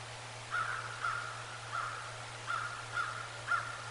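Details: Bald eagle at the Decorah North nest during afternoon visits, 22 November 2022: six short, thin, squeaky notes of steady pitch spaced about half a second apart, over a quiet background with a low steady hum.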